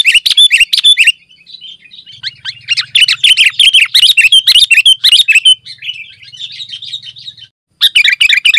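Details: Dense 'gacor' song of the sooty-headed bulbul, played to lure wild birds and to tutor caged birds: fast, busy chirping that runs on for several seconds, pauses briefly, then starts again.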